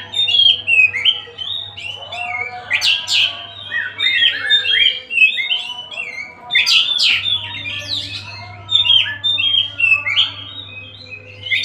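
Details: An Oriental magpie-robin called kacer Tasik delivers a long, varied song. It runs continuously, with fluty whistles, rapid warbled notes and harsh buzzy bursts. A low steady hum comes and goes beneath it.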